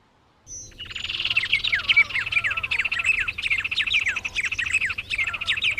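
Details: After a half-second pause, birds of Brazil's Cerrado begin a continuous song of high, quick chirps and repeated descending whistled slurs lasting the rest of the recording.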